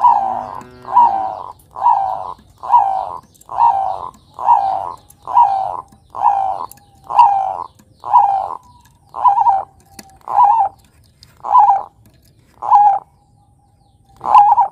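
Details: Zebra dove of the Bangkok perkutut type, a lively singing bird from Java, gives a steady run of short, slightly rough, mid-pitched coos, about one each second, with brief gaps between them.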